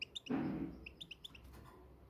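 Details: Moroccan goldfinch singing: a quick series of short, bright twittering chirps repeated in small bursts, interrupted early by a brief low rumbling thump, with quiet background hiss.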